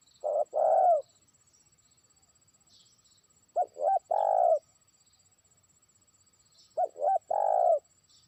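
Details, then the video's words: Trained decoy spotted dove calling a distant rival: three phrases, each two quick hoarse cooing notes then a long, steady, lower croon, spaced about three seconds apart, over a quiet background with faint high hiss. "pikat terkukur) burung ajaran sudah mulai manggil lawan jauh"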